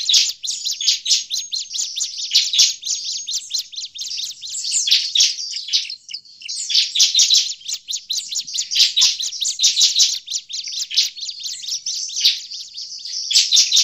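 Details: A noisy, agitated bar-winged prinia gives a dense, nonstop run of sharp, high chips and buzzy notes, used as a lure call for catching prinias, with no other sounds.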